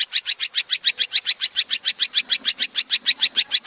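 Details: Long-tailed shrike singing in the tembakan style, from a master recording for training songbirds. A steady, rapid series of harsh, high chattering notes, about three or four a second, with no pause.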